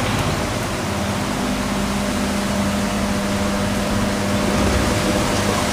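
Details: Loud, constant hiss of broadband noise over a low steady hum, with no animal calls.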